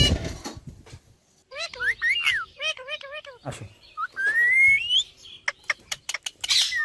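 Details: Pet talking parrot at play indoors, giving a run of short rising and falling whistled notes, then a long upward-sliding whistle, followed by sharp clicks and a harsh burst.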